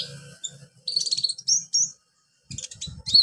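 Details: Tutor recording of olive-backed sunbird song meant to train beginner birds: high, piercing twitters and quick chirp runs in short bursts, over a steady low hum and some low rustling noise.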